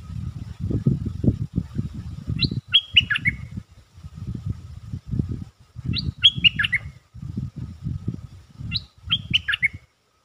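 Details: Stripe-throated bulbul kept in a cage, lure song: three brief bubbling phrases of falling, warbled notes spaced about three seconds apart, partly masked by heavy low thudding and rumble.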